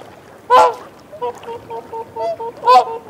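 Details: Whooper swan calling at close range while feeding on a bank, with reassurance calls: two loud, bugling, nasal honks framing a run of about eight soft, short, even hoots in quick succession.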